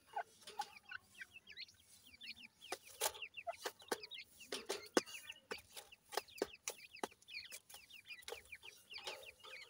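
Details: Grey francolin chicks peeping quietly, thin rising and falling chirps scattered through the recording, mixed with sharp clicks and tapping sounds against a faint hum.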